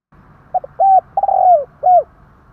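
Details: Spotted dove giving a kích bổi lure call meant to draw wild doves: two short soft coos, then a long smooth hooting coo, a drawn-out sliding coo and a final falling coo, against a quiet background.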